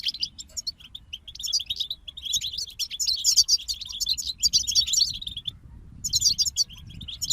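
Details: European goldfinches singing as a group, a busy stream of high, liquid twittering notes and short buzzy trills that swells midway and breaks off briefly before resuming; soft low rumble beneath.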